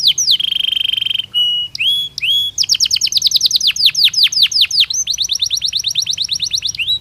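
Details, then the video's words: Belgian canary singing naturally for training purposes: a swooping whistle and short buzzy notes, then a long run of sharp down-slurred notes repeated several per second with occasional whistled inserts. "Canario Belga Cantando Naturalmente"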